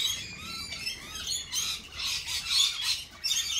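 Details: Lorikeets calling in a noisy group: a wavering, strained high squeal opens, followed by harsh, buzzy screeches that rise and fall in loud pulses.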